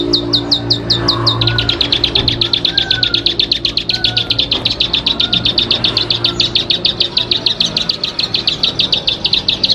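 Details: Singing bar-winged prinia, known locally as ciblek padi: a few high downslurred chips, then a rapid continuous buzzy trill of repeated notes running to the end, with faint background noise.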